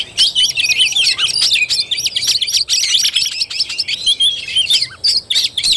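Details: Fighting-style (tarung) song of an Oriental magpie-robin, recorded 17 August 2021, a nonstop stream of sharp whistled and chattering notes, fast and varied, with a few short pauses near the end.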